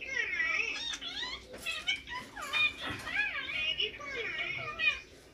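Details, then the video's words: Green Indian ringneck parakeet talking on a mobile phone, indoors: high, wavering speech-like phrases run almost continuously for five seconds, with rising and falling tones and short breaks between words. "Ringneck Green Parrot Talking on Mobile"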